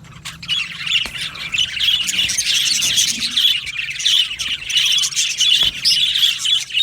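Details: Budgie aviary flock singing and chirping, a steady overlapping stream of high twittering and warbled notes with occasional sharp squawks.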